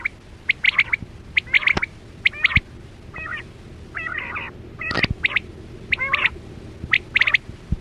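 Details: Quail lure sound used for hunting with nets in the 2024-25 season: sharp chirps near mid-high pitch in pairs and triplets, irregular, with buzzier rasping notes midway and a few clicks.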